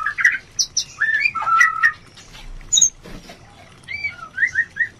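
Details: Oriental magpie-robin song used as a lure to raise breeding urge in a bird lacking it: scattered whistled notes and short chirps with pauses, some rising slurs near the end.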